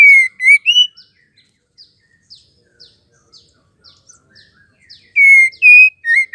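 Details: Female white-rumped shama giving a call used to stir males into singing: a burst of three or four loud, clear whistled notes, then soft scattered ticks, then another matching whistled burst at the end.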